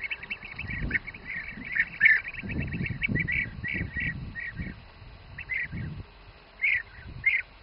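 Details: In the Přerov region of the Czech Republic, bee-eaters feeding young utter repeated rolling trills, dense for the first five seconds over low thumping noise, then scattered single calls.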